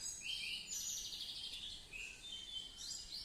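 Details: Female Cucak jenggot in full song, a bird that has already laid eggs, delivering bright, busy high-pitched chirping and twittering phrases in quick succession, with a steady hiss of background noise.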